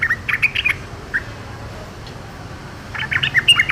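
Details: Wild yellow-vented bulbul, described as a reluctant singer joining in with lively chatter: two short bursts of bright, bubbly notes open and close the recording, separated by a quiet gap with one lone note, over a low background hum.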